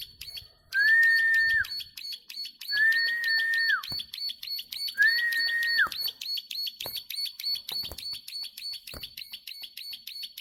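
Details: Plain prinia singing long runs of sharp, rapid clicks that continue without a break through the whole recording. Three flat whistled notes, each ending in a quick downward slide, sound in the first half.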